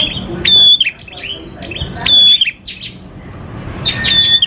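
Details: Prinia (prenjak klawu) lure recording used to make prinias sing quickly: bright chirping bursts with a loud level whistle, repeated in three phrases roughly every one and a half seconds, over low background rumble.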